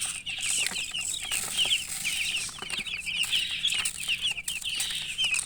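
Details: Just-born chicks calling nonstop, a dense chorus of high, short, slightly falling peeps from several birds at once, steady and loud throughout, over light background hiss.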